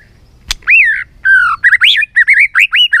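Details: White-rumped shama singing in many voices, a varied track for stirring and training birds: a rich looping whistle, then a rising phrase and a quick run of short upswept whistled notes, over a faint low hum.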